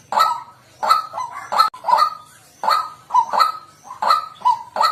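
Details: Repeated coarse honking of a white-breasted waterhen recorded as a luring call, notes coming in pairs and triplets with short gaps, rough and nasal throughout.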